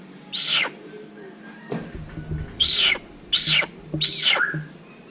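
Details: Little hornbill calling with natural sound: four loud, harsh, broad squawks peaking high, spaced irregularly about every second, with a quieter background hum between calls.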